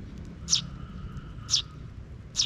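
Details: Three bright, high sparrow chirps about a second apart, from a park where a young chick follows its parent, recorded 12 June 2023, with a faint steady hum beneath.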